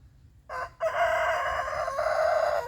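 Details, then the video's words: Rooster crowing in the morning to mark his territory, one of a run of 17 crows: a short opening note, a brief gap, then a long, rich crow held steady for about two seconds with a slight dip near the end. "rooster crows 17 times"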